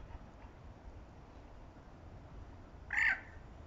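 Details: A southern screamer gives one loud, brassy pair-bonding honk, about a quarter-second long, against a soft, steady background rumble.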